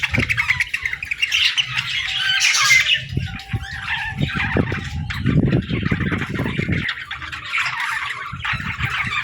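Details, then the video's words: Young budgerigars playing: scratchy chirps and squawks mixed with frequent low thumps and rustling, as of toys or movement, over a faint hum. "Baby Budgies Playing & Talking 🐣🎶 | Fun Chirping Sounds"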